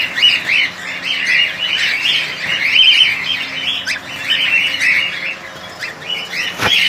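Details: Colony of cockatiels calling together: a dense, continuous wall of loud, rising screeches and chirps overlapping throughout, with occasional clicks in the background.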